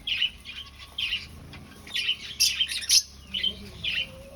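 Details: Finches kept in an aviary during breeding, looking for a nest; irregular high chirps about twice a second, a brief cluster of sharper squeaky notes midway, low hum underneath.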